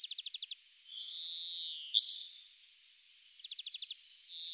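Yellowhammer song: a quick run of high, dry repeated notes followed by a long drawn-out wheezy note, with a second phrase starting right after.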